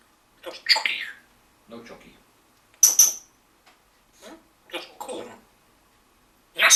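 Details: Pet male African grey parrot indoors, talking while asking for food; short scratchy, speech-like word bursts spaced over several seconds, with a sharp hissing burst near the middle and a bright squawk at the end.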